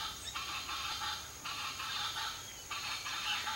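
A Chaco chachalaca gives harsh, raucous chattering phrases, each lasting about a second, starting again roughly every 1.3 seconds over a steady background hiss.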